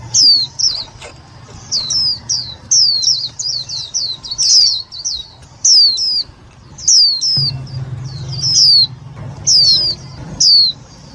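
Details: Loud lure call of an Indian white-eye, meant for trapping and for exciting other white-eyes: a rapid run of high, thin downslurred whistles, often in pairs or short bursts, repeated steadily with brief pauses and a low background hum.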